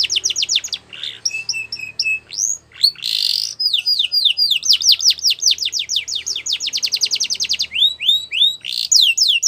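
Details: Singing in the wild, a yellow canary runs through varied phrases: quick downward sweeps, brief rolls, a loud burst, then long chains of rapid, repeated swooping notes.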